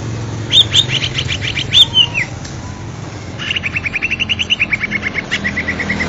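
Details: Greater green leafbird, a caged songbird known for varied song, giving quick sharp chirps and a downslurred whistle, then a fast run of evenly repeated clipped notes, over a faint low hum.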